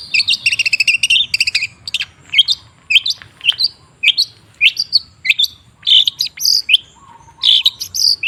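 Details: Long-tailed shrike lure song for a shrike that has stopped singing: dense, scratchy chattering and high buzzy notes, a rapid, varied stream with short pauses.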